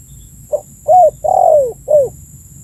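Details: Spotted dove call for luring birds: a soft short opening hoot, a rising coo, a prolonged low coo gliding down, then a final downward coo, mellow and unhurried over light hiss.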